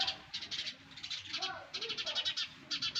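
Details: Young sparrows in a nest producing quick trains of high, scratchy chirps in short bursts, with a few softer, lower sliding notes between the runs.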